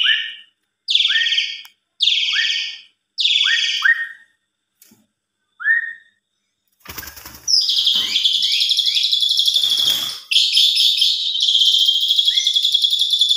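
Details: Asian pied starling singing as a lure for other starlings: a run of short high whistled phrases with rising upsweeps, then a burst of noise and a long, dense, high, rattling warble.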